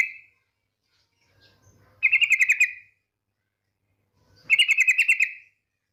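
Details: Female yellow-vented bulbul calling the male in rapid trills: two bright bubbly phrases of about eight even pulsed notes each, spaced roughly two and a half seconds apart, with near silence between.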